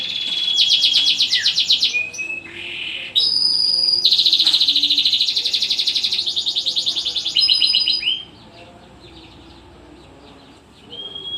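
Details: Canary song in bursts: fast rolling trills, sharp whistled notes and buzzy pulsed phrases in quick succession, followed by a quieter pause and a final whistled note.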